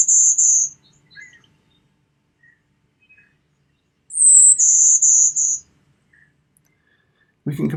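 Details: Golden-winged Warbler song: a high, buzzy first note, then three slightly lower buzzes, zee-bz-bz-bz, from a declining species that breeds in Michigan, southern Canada or Appalachia. A brief snatch of speech follows at the end.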